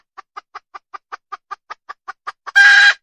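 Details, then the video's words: Wild red junglefowl hen delivering a dozen crisp, evenly timed clucks followed by one loud, rasping, noisy squawk. "Suab poj qaib qus tsauj dib tuaj zoo heev"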